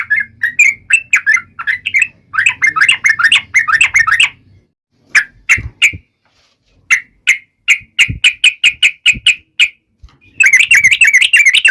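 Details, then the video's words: Yellow-vented bulbul taunting a rival: dense bursts of chattering whistled notes, then a pause and a slower series of sharp clipped notes, ending in another fast bubbly burst. "trucukan gacor MENGEJEK LAWAN"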